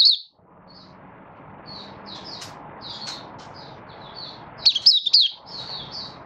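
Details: Malaysian Mata Puteh, a caged Oriental white-eye in light moult while being brought into form, recorded 24 August 2023. Soft scattered high twitters at first, then a louder quick cluster of sharp, descending whistles near the end.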